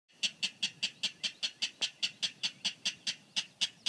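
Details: On Skidaway Island, a rail gives a steady series of harsh, clipped kek notes, about five per second, evenly spaced. Observers thought it sounded like a King Rail, but it looked drab like a Clapper Rail.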